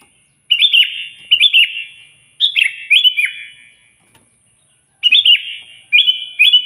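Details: Loud sooty-headed bulbul song, used to call a rival and provoke a reply, with short bubbly phrases of two or three liquid warbled notes repeated in bursts about every two seconds, separated by silence, over a faint high hiss.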